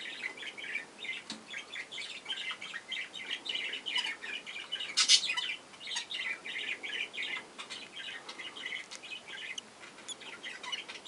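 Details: Young budgerigars in a breeding box keep up a dense, continuous chatter of short, raspy chirps around mid-high pitch, with a few louder squawks mixed in.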